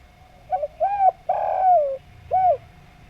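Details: Javan spotted dove (derkuku) in smooth 'nglaras' cooing: a short double coo, a second coo, a long drawn-out falling coo, then a single closing coo, all soft and low-pitched, with a faint steady hum behind.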